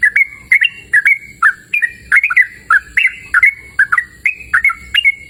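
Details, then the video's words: Persistent song of a yellow-vented bulbul outdoors: clear, bubbling whistled phrases that swoop up and down, repeated steadily about twice a second with little background noise. "Suara Merdu Burung Trucukan Gacor!"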